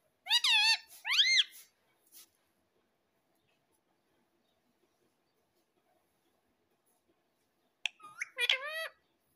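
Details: Pet ringneck parrot kept at home, talking in short bursts of harsh, strongly modulated syllables, one burst at the start and another near the end, with silence between.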